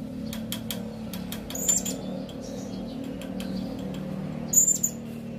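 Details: Serindit calling twice with high, thin, shrill notes several seconds apart, over a background of steady clicking or tapping and faint softer chirps.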